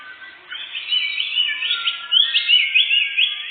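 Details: Canary song used as a lure for catching birds while hunting in a forest: a continuous, rolling warble of fast mid-high trills and whistled slurs, getting louder after the first half second.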